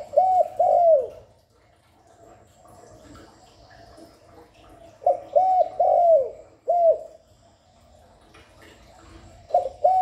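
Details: Spotted dove cooing continuously, recorded to lure and stimulate doves: three-note phrases of mellow mid-pitched coos, the last note drawn out and falling, repeated three times with quiet gaps between them.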